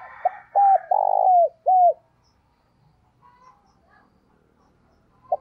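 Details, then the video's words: Spotted dove decoy bird coos in the morning to draw in wild doves. One phrase of short hooked notes, a longer buzzy burr and a final drooping coo, then near silence with faint chirps. "Chim Cu Gáy Gọi Bổi Vào Buổi Sáng / Kích Bổi Nhanh Gáy - Chim Cu Mồi"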